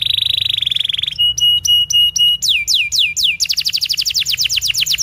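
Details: Canary singing intended as a tutor recording for juvenile canaries and birds that have gone quiet: a rapid high trill, spaced pure whistled notes, several falling slurs, then a quick run of repeated descending notes.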